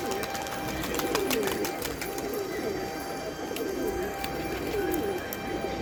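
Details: Domestic pigeons, called kabutar, cooing as a dense low chorus of many overlapping birds. Soft, rolling curved coos recur about every second over steady hiss, with scattered sharp clicks throughout.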